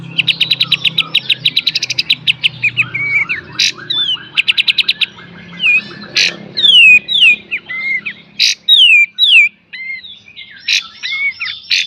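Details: Kapas tembak in full beset and tembak style, a master song for training cage birds: fast repeated high trills open, followed by loud separated bursts and descending slurred whistles with quiet pauses between.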